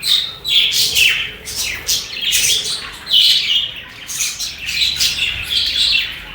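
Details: Budgie flock chatter: high twittering chirps in uneven bursts, rising and falling about every second, with short whistled notes mixed in.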